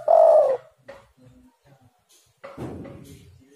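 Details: Spotted dove sound played as a lure for other doves: one loud, drawn-out coo at the start, a few faint notes, then a rough, noisy rumble at the end.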